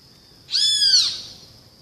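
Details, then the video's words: Great kiskadee giving one loud, harsh, richly layered note about half a second long that arches up and then down, over a steady thin high whine in the background. "O SOM DO BEM-TE-VI"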